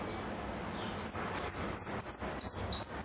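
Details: Goldfinch singing in the repique style: rapid bursts of high, thin, downslurred notes in quick irregular succession, loud and dense in the second half, with a quiet background.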